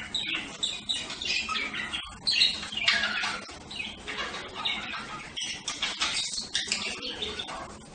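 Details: Softer budgerigar warbling, a continuous mix of squeaky chirps, buzzy notes and short whistles blending into busy chatter.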